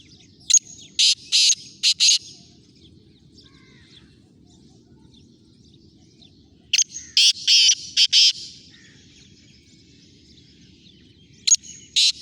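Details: Kala teetar, the black francolin, repeating its harsh rasping call: a phrase of four or five grating, buzzy notes, then a pause of about four seconds before the next, with the start of a third phrase at the end. A low background hum runs throughout.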